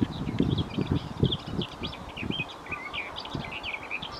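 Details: Garden warbler in song at Wyver Lane. It pours out a fast, continuous babble of sweet high notes and quick twittering phrases, over a strong low buffeting rumble that is loudest at the start.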